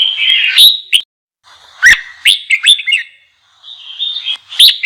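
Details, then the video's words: Red-whiskered bulbul singing to stir up freshly caught bulbuls: a warbled opening phrase, a pause, then a lively burst of sharp, quick, chirpy notes, followed by softer trailing warbles and a final bright flourish. "GIỌNG CHÀO MÀO KÍCH BỔI _ KÍCH CHÀO MÀO BỔI CĂNG LỬA"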